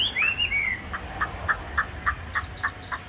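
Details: Caged hwamei with yellow beak and legs: a brief slurred whistle followed by soft chipping notes repeated about three per second, low hum in the background.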